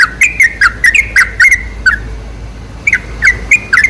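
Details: Bulbul lure sound of the sooty-headed bulbul. A fast series of bubbly whistled chirps for about two seconds, a short pause, then the bright, slurred notes resume at a slightly slower pace.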